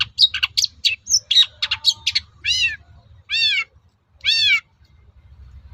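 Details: Long-tailed shrike song meant to goad other shrikes to answer: a rapid run of varied high chirps, then three drawn-out harsh arching nasal notes, each about a third of a second long.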